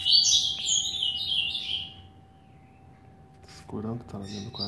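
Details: Eight-month-old double-collared seedeater kept at home, singing a fast run of high, thin, buzzy warbled notes for about two seconds, then quiet before a person starts talking.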